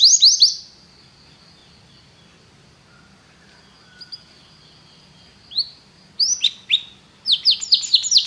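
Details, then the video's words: Canary song used for training, heard in short bursts: a quick run of bright high sweeping notes at the start, a long near-silent gap with a faint steady tone, then clusters of rapid descending chirps toward the end. "treinamento canário - seu canário cantará muito se ouvir isso"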